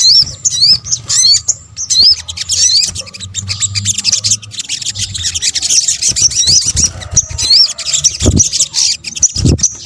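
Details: Sunbird, locally sogok ontong, in a lure mix meant to attract birds: a long run of thin, high, scratchy chatter with occasional sharp upswept squeaks, nearly unbroken throughout.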